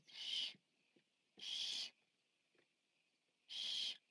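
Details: Largest Barn Owl owlet, watched on a nest camera while eating on 14 September 2015, gives three harsh hissing screeches about half a second long, spaced one to two seconds apart, with faint rustles between them.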